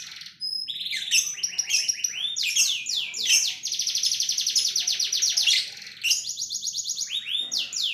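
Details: Canary pouring out 'tembakan' song, very sharp and high: clipped chirps, then a sustained, dense mechanical trill of swept notes lasting about three seconds, a short pause, and more rapid rolling phrases.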